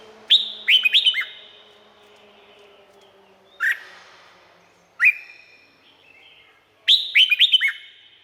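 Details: Thailand Red-whiskered bulbul: a rapid burst of several bright whistled notes, two separate single rising notes, then another fast multi-note phrase, all with echoing tails.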